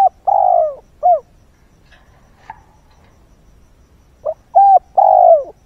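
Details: A decoy spotted dove coos at dawn to lure wild birds: a pair of soft, low, hollow coos, a pause, then a three-note phrase with a husky drawn-out ending; otherwise quiet.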